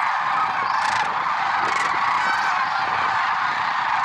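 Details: A large gathering of lesser sandhill cranes calling at dawn, Merced National Wildlife Refuge, February 6, 2023. Overlapping rattling, honking voices form a constant dense din, with a couple of louder bursts standing out near the start.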